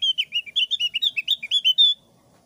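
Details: Lure song of a thick-browed Javan grey-throated white-eye in the ngeplong sambil ngeriwik style. A rapid string of a dozen high, chirpy, slightly rising notes ends on one long clear whistle, then silence.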